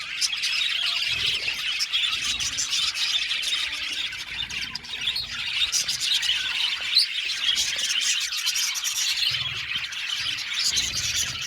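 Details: Aviary flock of budgies singing nonstop, a steady wash of overlapping high chirps, twitters and raspy notes with no pauses over about eleven seconds.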